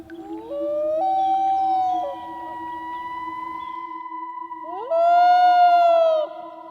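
A loon gives long, mournful wailing notes: two drawn-out tones that slide up and hold, with a soft steady hum underneath.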